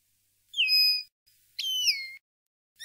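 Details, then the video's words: Common linnet campero song for tutoring young linnets: two clear whistled phrases, the first gliding down and levelling off, the second starting sharply and sliding downward, separated by a short pause. "NUEVO CD CAMPERO PARA EDUCAR PARDILLOS 2020/2021"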